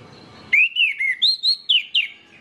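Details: Orange-headed thrush singing to set off other orange-headed thrushes: a rapid series of eight loud, clear whistles, some slurred downward and some upward, in a lively, varied phrase over faint background noise.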